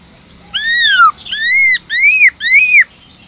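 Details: Black-throated laughingthrush kept in a cage, singing its 'forest voice' song meant to excite other caged birds into song: four strong ringing whistles, each arching up then dropping, separated by brief pauses.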